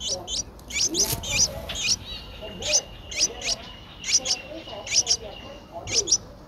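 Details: Streak-eared Bulbul nestling, 10 days old, its eyes opened at 7 days, recorded in Ubon Ratchathani, Thailand, on 12 April 2023: sharp, high chirps in quick clusters of two or three, repeated about every second, with faint low background noise.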